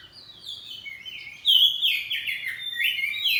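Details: Oriental magpie-robin, kacer poci kept at home, singing loudly back and forth in ngeplong style: gliding whistles that swell into a strong, steady, varied warble.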